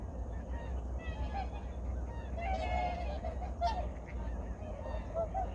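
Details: In the early morning of 2019 at Changwon's Junam Reservoir, a crowd of migratory birds calls in rough honking bursts, two louder calls standing out amid a murmur of distant voices and low rumble.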